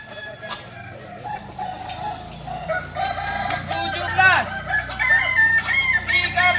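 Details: Crowing practice of Kukuak Balenggek chickens, singing fowl of Solok; quiet clucks at first, then rising, repeated arched crow syllables grow louder toward the end.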